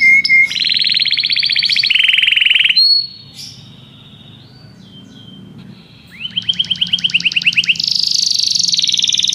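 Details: Belgian canary delivers rolling trills at two pitches, falls quiet for a few seconds, then resumes with fast repeated notes and a high buzzy run.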